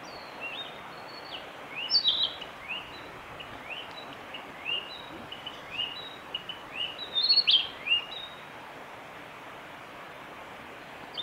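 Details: On the Hinata forest road on 25 April 2020, a male Narcissus flycatcher sings clear, high whistled notes and short upslurred chirps in loose bursts, over a steady hiss of rushing water or wind.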